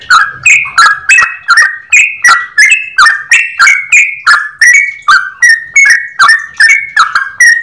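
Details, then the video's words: Clear, lively yellow-vented bulbul song in long 'ropel' style: crisp, ringing notes repeated fairly evenly about three per second, shifting slightly higher and lower. "Trucukan gacor ropel panjang suara jernih"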